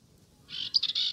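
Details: A Dartford warbler on South Downs heathland in spring, its loudest season, gives a brief, scratchy, chattering burst of song, dry and rattling, high in pitch, after a moment of near silence.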